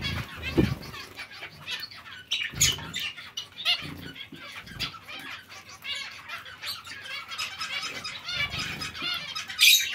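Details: Zebra finch colony kept alongside other small finches: a dense chorus of short nasal, buzzy calls with stacked overtones, repeated rapidly and overlapping throughout, with soft low thumps of wing flapping.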